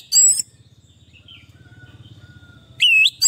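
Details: Orange-headed thrush song used to treat stressed, silent birds: a loud ringing phrase, then quiet faint notes over a low hum, before another loud swooping whistle and a final short note.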